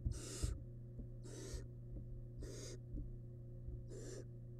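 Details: Wild barn owl nestling feeding on large rabbit remains inside a nest box; four loud, harsh hisses roughly every second, a few thumps at the start, and low steady hum.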